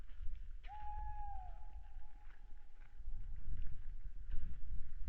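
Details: Owl calling at night, 22:15 on 26 February 2017, captured by a webcam on Saaremaa, Estonia: one long, steady, whistled hoot lasting nearly three seconds after a brief upward start, over low rumbling noise and scattered faint ticks.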